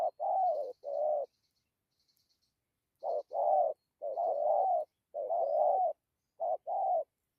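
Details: Spotted dove cooing in dặm with gù fashion: paired mellow low notes in groups, a faint high insect-like ticking heard in the background early on.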